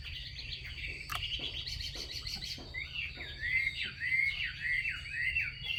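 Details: A female Chinese hwamei gives its xùy call meant to rouse males into song. After a noisy start come loud downslurred whistles, repeated roughly every half second and rising then dropping in pitch, with a constant thin high tone behind.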